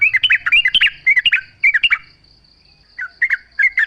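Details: Lively yellow-vented bulbul singing, played to provoke other bulbuls into replying. Bouncy, gurgling chirped phrases come in quick clusters, pause, then resume. A thin continuous high whine lies in the background.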